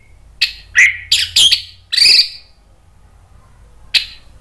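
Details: Orange-headed thrush, a kept bird provoked by a lure recording into agitated calling: a cluster of loud, harsh, scratchy notes with brief rising squeals, then silence and one last rasp.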